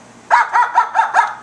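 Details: A pet female cockatoo, trained to mimic a small dog, gives five quick, hoarse, dog-like barks, about five per second, with a mid-pitched rasp in an otherwise quiet room.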